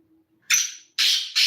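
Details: Black francolin giving harsh, hoarse bursts, three loud noisy notes in under two seconds after a faint low hum.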